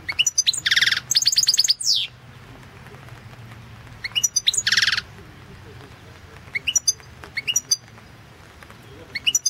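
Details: European goldfinch recorded for a 2016 world championship in goldfinch song, run online: nasal buzzy notes mixed with fast bright twitters and a descending slurred whistle, then scattered high chirps and short twittered phrases.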